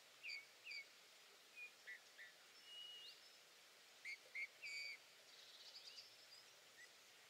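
Eurasian bullfinch giving soft, short piping whistles, some curving up or down, in loose groups of two or three, with a faint twittering near the end.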